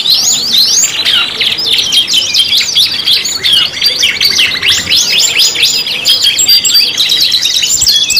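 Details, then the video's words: Canaries singing in a five-in-one lure recording: fast chattering trills and sharp up-and-down whistled sweeps, continuous and busy throughout with overlapping phrases. "PANCINGAN KENARI 5 IN 1 | CANARY SINGING"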